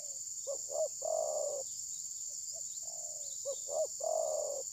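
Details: Trapping decoy spotted dove that will not attack, perhaps moulting, mobile phone recording: two full phrases of twin hoots and a long rolling coo, with softer short notes between and a steady high insect drone.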